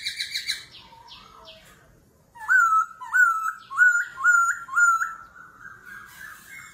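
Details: A laughingthrush in a singing contest, forest-voice style with continuous voice changes: a few falling notes, a short pause, then five loud ringing whistles, each rising then dipping, about one every two-thirds of a second.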